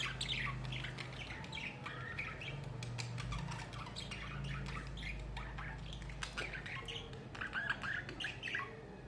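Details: Budgerigars kept as pets in summer keep up continuous scratchy chatter of clicks, squawks and warbling chirps, with a steady low hum beneath.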